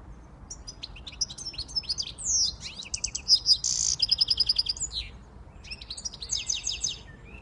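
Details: Siskin x goldfinch hybrid song: high twittering phrases build into a long rapid series of repeated chips and a harsh buzzy note, followed by a pause and a final bout of twittering.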